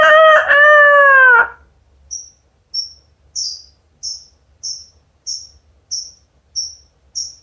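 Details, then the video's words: Cockatoo imitating a rooster's crow: a loud, harmonic-rich drawn-out call of about one and a half seconds, sagging slightly in pitch, followed by short high chirps repeated about every 0.6 seconds against a quiet background. "burung kaka tua bersuara ayam jago"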